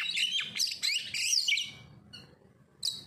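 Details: Kacer (oriental magpie-robin) lure song for making birds sing hard: a quick, dense chatter of high twittering notes for over a second, fading into a thin whistle, then one final sharp burst.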